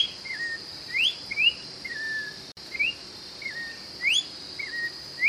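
An orange-backed troupial sings short, clear whistled notes, some rising and some sliding down, roughly every half second, over a steady high insect drone.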